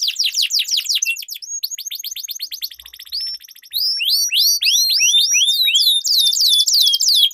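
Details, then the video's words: Canary in long rolling song, a lure for training contest birds: rapid trilled series of repeated notes, a brief pause, then loud upward-swept whistles and a dense buzzy trill. "Duel Burung Kenari Suara Merdu Ngerol Panjang || Pancingan Ampuh Kenari Macet Gacor Ngerol Panjang"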